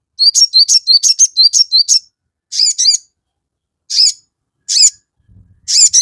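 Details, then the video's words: Crested jay song meant to stir other birds into replying: a quick burst of about ten sharp, bright chirps with flicked whistles, then scattered single harsh chirp clusters separated by short pauses. "sogon GACOR FULL KICAU, Pancingan sogon JADIKAN burung cepat bunyi langsung nyaut ngamuk"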